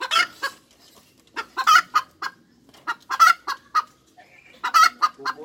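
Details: Hens cackle in three clusters of rapid clucks, each cluster peaking in a loud, harsh, lengthened note, with short quiet spells between them.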